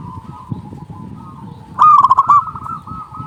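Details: Local zebra dove with a strong voice, calling to lure doves. Soft background cooing gives way to one loud burst of rapid staccato notes, then quieter cooing continues.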